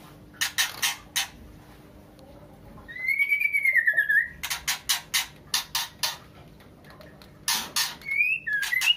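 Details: White-rumped shama female in heat calling for a male: a long, clear whistle gently falling in pitch, surrounded by rapid runs of harsh rasping bursts and a final short whistled flourish.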